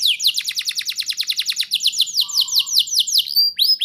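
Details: Canary singing steadily as a tutor recording for young birds: a long, fast trill of sharp downslurred notes, about six per second, slowing into broader sweeping slurs near the end.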